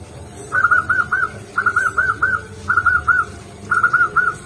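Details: Local zebra dove (perkutut) singing its manggung song at a lively pace: four phrases of three to four soft, rounded, bouncing coo notes at one steady pitch, phrases roughly a second apart, over a low background hum.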